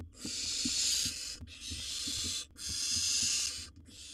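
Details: Three drawn-out rasping hisses, each about a second long, from a wild barn owl nestling in its nest box as it swallows a bird after a sibling tried to take it; soft knocks underneath.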